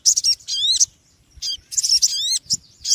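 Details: Small birds chatter noisily. High, rasping chirps are mixed with upward-sweeping whistled notes, given in two dense bursts separated by a short quiet gap.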